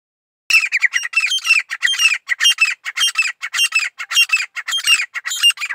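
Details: Grey francolin song: a loud, harsh, squawking series of ringing notes, each rising and falling, delivered in quick uneven bursts for over five seconds with no other sounds.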